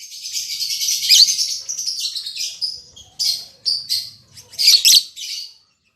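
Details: Newly paired lovebirds, an albino MM male and a lutino MM female, kept caged together: high shrill chattering chirps, a dense run for about three seconds, then short sharp bursts and squeaks.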